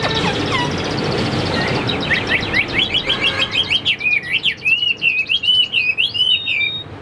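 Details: A caged Chinese hwamei, described as 85% tame and not yet fully conditioned, sings a fast chattering run. It builds into a dense, rhythmic series of looping whistled slurs, several per second.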